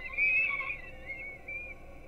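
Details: Peregrine falcon young being fed breakfast at a Gdynia nest in Poland, recorded by a webcam in the early morning. A loud, high, strained wail swells and then fades into softer, wavering whines.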